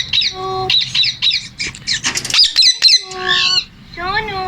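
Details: Male Indian ringneck parakeet talking: short voice-like phrases of steady, layered tones that alternate with bursts of sharp, high, down-slurred squawks repeated in quick series, then a closing run of rising tonal notes.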